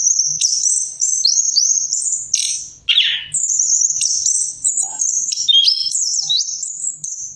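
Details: Orange-headed thrush pouring out a continuous high-pitched song of quick chirps, slurred whistles and twittering runs, broken by one brief lower burst; faint low knocking is heard in the background.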